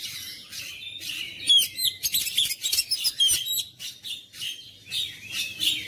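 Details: Oriental magpie-robin in full song, a kept bird pushed to sing hard: continuous rapid chattering and whistled phrases, high-pitched and varied, with loud sharp notes crowding the middle seconds.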